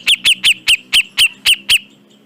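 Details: Grey-cheeked bulbul in a training recording for caged birds: eight sharp, bright, evenly spaced notes, about four each second, with slight downward inflection, over a faint low hum.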